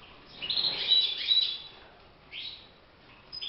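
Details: European goldfinch singing inside a cage for song training: a rapid, jumbled twittering burst, then quieter chirps after a pause, with a light hiss of background noise.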